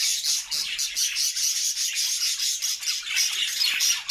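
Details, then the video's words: Happy budgerigar flock in a new homemade cage; high, rasping, buzzy chatter pulsing rapidly and continuously from many birds. "Budgie sounds to make them sing!!"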